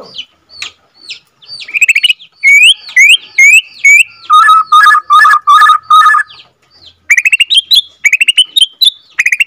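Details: White-rumped shama from Borneo, captive-bred second generation, singing its long rolling song to stir rival birds: clear rising whistles, then a burst of repeated ringing chip notes, then high upslurred whistles.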